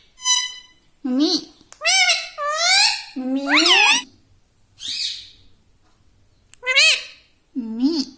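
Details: Household talking parrot, called tota, mimicking speech such as mitthu mitthu in a lively series of about eight nasal, harmonic syllables, some rising, some dipping, separated by short gaps.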